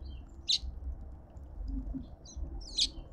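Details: Two sharp, high chirps about two seconds apart, with faint softer notes between, from cut-throat finches at a suburban garden feeder in Pretoria, South Africa; low background rumble.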